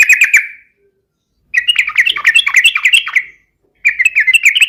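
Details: Yellow-vented bulbul in full, persistent song, played as a lure to set other birds singing: a short burst, a pause, then a long run of rapid, liquid, chattering warbles and another brief phrase.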